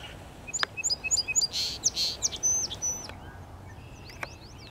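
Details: Song Sparrow singing on Prairie Island, AE Wilson Park, West Regina, Saskatchewan, Canada, on May 30, 2017: crisp introductory chips, then bright buzzy bursts and a trilled middle, ending in scattered sharp notes against quiet background hiss.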